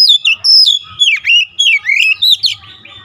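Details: Oriental magpie-robin in energetic continuous song, dense run of loud whistles sweeping down and up with sharp chips between, barely pausing across the whole stretch.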